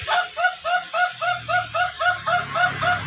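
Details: Laughing chicken, duration type, trained for a crow lasting up to three minutes: steady rhythmic cackling notes, close to four per second, over low rumble and hiss.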